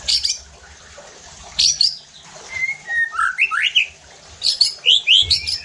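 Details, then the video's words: White-rumped shama song used as a lure to provoke other shamas into harsh, aggressive singing: short bursts of high, sharp chirps, then a run of quick rising and falling whistled notes and a final cluster of bright, piercing phrases. "PANCINGAN EFEKTIF JADIKAN MURAI BATU NEMBAK KASARR UNTUK MENINGKATKAN EMOSI DAN BONGKAR ISIAN"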